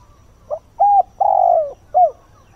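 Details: Decoy spotted dove cooing at dawn to draw in wild birds, giving a single four-note phrase: brief soft coo, level bent coo, long sagging drawn-out coo, then a clipped falling coo, over quiet background.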